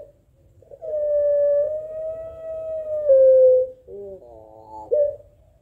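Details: A Barbary dove (puter pelung) calling back and forth with a rival gives one long, drawn-out, steady coo lasting about three seconds, dipping at the end, then a few short clipped notes.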